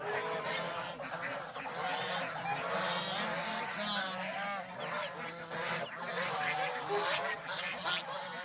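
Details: A farm flock of domestic geese with goslings gives a busy stream of harsh, nasal honks, some rising and falling in pitch, crowding over one another in an unbroken chattering chorus.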